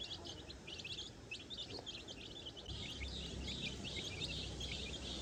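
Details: Baby chicks searching the grass for food and insects on their own at a farm; many short, high peeps pour out quickly and irregularly over a steady low rumble of background noise.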